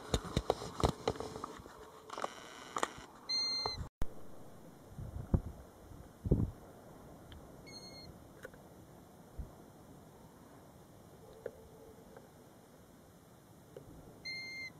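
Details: Golden plover near its roadside nest at Batsfjord, taped from inside a car: brief plaintive whistles, slightly descending, spaced several seconds apart, after opening knocks, rustling and low engine-like rumble.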